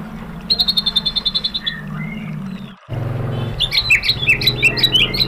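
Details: White-rumped shama singing as provoking material for other birds: an even, fast series of whistled notes and a slurred descending phrase, then loud, jumbled, sharp chirps over a steady low hum.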